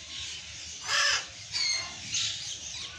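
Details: Burrowing parrot (Patagonian conure) giving three harsh, grating screams spaced about half a second to a second apart, the first loudest, with quieter rasping between them.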